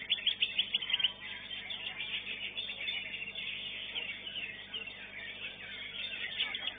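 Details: Contest song of a greater green leafbird at a singing-competition arena: rapid high chirping phrases with sharp notes in the first second, then a continuous busy twitter of overlapping notes over a constant low hum.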